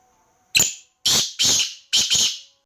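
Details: Harsh call of a Black francolin: a clipped first note, then two raspy paired phrases, each note loud and noisy, finishing within about two seconds against a still background.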